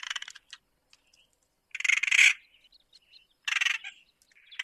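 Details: Spotted nutcracker sounds: crackling clicks at the start, then two loud harsh rasping bursts, with scattered soft high notes in between.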